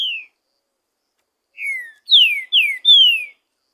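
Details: Wild green-winged saltator singing abundantly in nature. The tail of one falling whistle is followed, after a pause, by a full phrase of four clear descending whistles: a quieter opening note, then three loud slurred ones.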